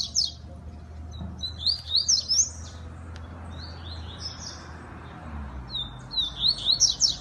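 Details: Double-collared seedeater from a breeding aviary, a fast competition singer, giving short bursts of rapid shrill zigzag notes separated by quiet gaps of a second or more.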